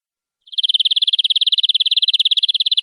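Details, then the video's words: Canary in nembak-style gacor song, rolling out a very fast, buzzy trill. The notes run so close together that they blur into a continuous shimmering roll lasting over two seconds. "Suara Kenari durasi panjang"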